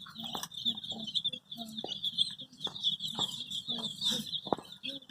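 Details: A flock of colour-dyed baby chickens seeking their mother, peeping in an unbroken high-pitched chorus, with scattered short clicks and soft low taps underneath.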